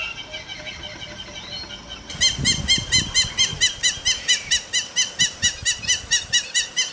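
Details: Hamerkop giving a long run of regular, clipped, high nasal yips, roughly three per second, that begin abruptly after a quiet, hissy opening.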